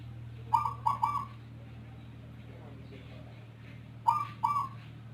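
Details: Rondosemoyo zebra dove, a kept bird whose voice differs from local and Bangkok doves, gives two triple-note coo phrases about three seconds apart over a constant low hum.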